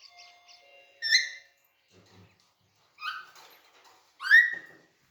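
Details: Caged green Alexandrine parakeet, active and in a jolly mood while playing, gives three loud, harsh, rasping screeches with rich overtones, spaced about one to one and a half seconds apart, with quieter chatter in between.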